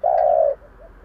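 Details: Single long, steady, mellow hoot from a decoy spotted dove calling in 'giọng thổ' style to lure wild birds, ending abruptly with soft faint notes after.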